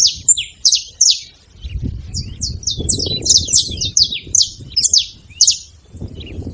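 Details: A group of saffron finches making noise: quick, high, falling chirps and short trills in overlapping bursts, over a low rustling background that swells in the middle and near the end.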